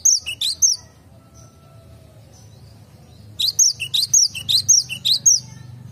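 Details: Cinereous tit singing in a garden: bright, high, sweet two-note phrases, a burst at the start, then a quick run of repeated notes about twice a second.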